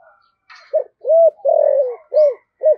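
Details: Lure call of a spotted dove for drawing in wild doves, 'giọng thổ' style: a quiet opening, then a series of deep rounded coos, the third long and sliding downward, ending on short repeated coos. Faint chirps sound behind.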